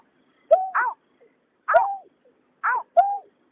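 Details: Male and female white-breasted waterhens, tied to night trapping of migrants, give paired croaking calls. A low curved note is joined to a higher, rasping downslur, about one pair per second in quiet surroundings.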